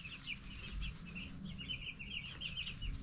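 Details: Group of broiler chicks at ten days old chirping in soft, overlapping high peeps against a steady background drone.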